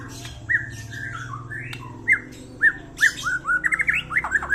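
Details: White-rumped shama song played to lure and stimulate a shama that has stopped singing: clear, sliding whistled notes spaced out at first, then a quickening string of short rising whistles at the end, over a low background hum.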